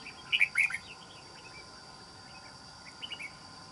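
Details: Red-whiskered bulbul in a trap cage, island-forest voice, opens with a loud quick warbled burst, then a softer short phrase follows after a pause; a high insect drone runs throughout.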